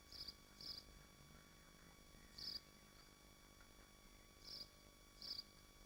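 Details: From a nest of swifts in Machynlleth, Dyfi Biosphere: five thin, high chirps, some paired close together, scattered irregularly through about six seconds over faint steady electrical hum.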